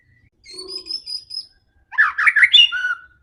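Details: White-rumped shama singing aggressively to provoke rivals: a thin high whistle over a soft low note, then a short burst of harsh tumbling warbled notes ending on a lower whistle.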